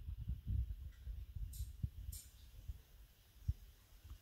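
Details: Soft low thumps and rustling like handling noise, with a few faint hissy bursts and no clear animal call.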